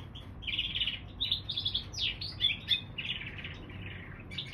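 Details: Mule bird from canary and bullfinch singing a quick warbled sequence of trills and sharp down-swept whistles, with a short quiet start, over low background hum.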